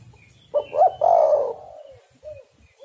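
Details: Spotted dove giving a vigorous cooing phrase used as a bird-trapping lure: a short note, a rising coo, and a long throaty, descending coo, followed by two soft short coos.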